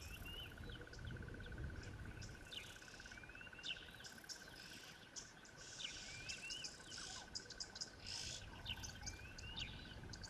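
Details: Many red-billed oxpeckers calling around a waterhole on 1 February 2024, one landed on a hippo's back: scattered sharp chirps and hissing twitters from several birds at once, over a steady ringing insect drone.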